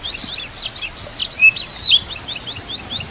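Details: White-rumped shama song filled with kapas tembak and Cililin canary material, meant for teaching young shamas: very high, thin chirps and squeaky slurred whistles in a rapid, uneven stream.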